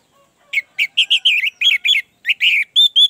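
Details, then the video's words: Orange-headed thrush song used to prompt a reluctant caged bird into singing: a fast series of loud, rich warbled whistles and slurred notes, delivered in short bursts roughly every quarter second. "Pancingan anis merah, agar cepat ngeplong"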